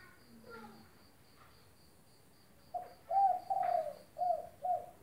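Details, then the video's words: Spotted dove cooing energetically, recorded to coax a silent bird into calling again; after a faint insect-like tone repeating steadily in the background, a phrase of mellow coos begins, with two drawn notes and two clipped ones. "Derkuku gacor buat masteran tekukur macet bunyi"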